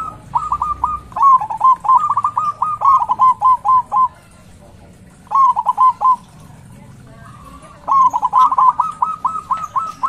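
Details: Loud local zebra dove kept as a lure to get other doves singing. Long, fast rattling phrases of bubbling coo notes alternate with a pause, a short burst of four, then another lengthy rapid series.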